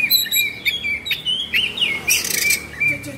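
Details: Excited kacer, or Oriental magpie-robin, performing agitated 'kongslet' song with open beak and spread tail; sliding whistles and harsher chattering notes, with a sustained high tone running underneath.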